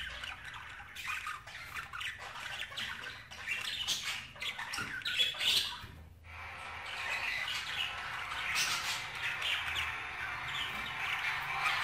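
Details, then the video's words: Dense, fast budgerigar warbling with rapid clicks, chirps and scratchy notes, a brief pause near six seconds, then continuous busy twittering. "اصوات طيور البادجي"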